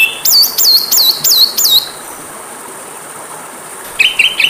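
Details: Kacer, the Oriental magpie-robin, sung for training caged birds: five loud looping whistles dropping in pitch, about three per second, a two-second pause, then a short flat whistled phrase.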